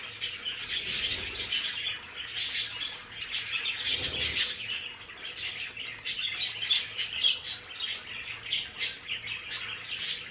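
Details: Pet budgerigars in their play space produce a steady stream of high chirps and buzzy warbles from several birds, with a brief low thump partway through.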